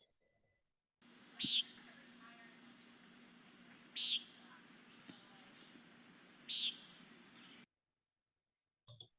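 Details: Common Nighthawk in Newfoundland, an at-risk species, giving its most often heard nasal 'peent' call, resembling the American Woodcock's: three short buzzy high notes about two and a half seconds apart over a low steady hum.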